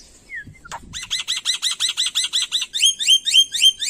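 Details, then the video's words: Black-winged myna, an Indonesian endemic and skilled mimic, delivering a rapid regular series of downslurred whistled notes, about four a second, followed by a quicker run of sharper upward-flicked whistles. "Suara Burung Jalak Putih Gacor Full Isian"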